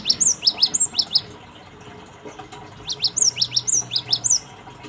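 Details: Lure song of a cinereous tit: two clusters of thin, quickly falling high notes separated by a quiet stretch, with faint low background hum.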